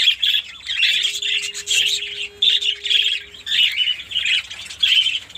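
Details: Shrill chirping chorus from a colony of caged Fischer's lovebirds in Pakistan, in pulses of squeaky twitter roughly once a second, with a faint steady low hum in the background for a couple of seconds.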